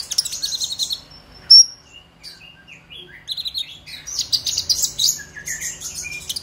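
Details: Purple-throated sunbird chatter in 'ngobra emosi' style, played as a lure for young sunbirds: bursts of high, hissy twittering open and close the passage, with a sharp single chip and sparse soft notes between.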